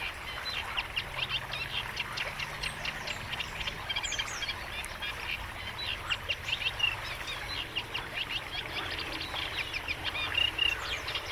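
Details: Eurasian reed warbler in a wetland of the Gâtinais Montargois, France, sings a steady, unbroken chatter of harsh, grating notes, phrases repeated two or three times, a continuous song marking its territory; faint low hum early on.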